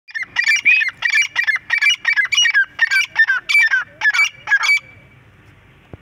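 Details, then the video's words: Francolin, known locally as Irani teetar, calling. A loud, rapid series of harsh, squawking notes, about a dozen bursts in five seconds, is followed by near silence. "Irani teetar voice"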